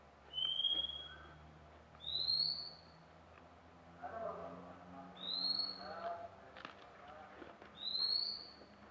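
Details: Magpie-robin, newly obtained, repeats long, thin, high whistles. Some are level and some rise slightly, with a few faint murmuring sounds in the middle of the sequence.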